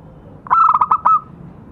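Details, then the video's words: A local zebra dove (perkutut) lure call gives one quick phrase of soft, rolling coos on a steady mid pitch, ending in a longer held note. "Suara pancingan burung perkutut lokal"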